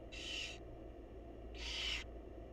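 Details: Wild barn owls, mother feeding chicks in a nest box: two loud, rasping hissed screeches, each about half a second long and one second apart, over a low hum.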